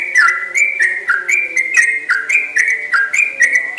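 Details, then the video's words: Lively Yellow-vented bulbul in full song, delivering a long rapid run called 'ropel panjang'. Bright whistled notes alternate high and low in a bouncing rhythm, about three per second, over a soft constant background hum. "Burung trucukan yang sangat gacor dan ropelnya panjang"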